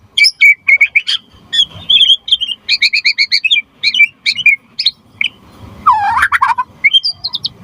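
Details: Energetic white-rumped shama song for prompting other shamas to sing and for tutoring. Choppy high chirps come in quick groups, then a lower swooping whistled phrase, and finally high rising notes.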